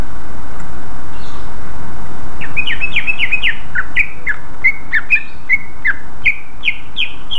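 A greater green leafbird sings a fast, steady run of sharp whistled and chirped notes, about four a second. A low rumble of traffic runs underneath.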